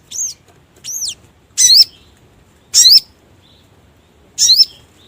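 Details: Sogon lure call for trapping: two clear, arched, high whistled notes, then three louder harsh chirps with a sharp sweep, spaced about a second apart.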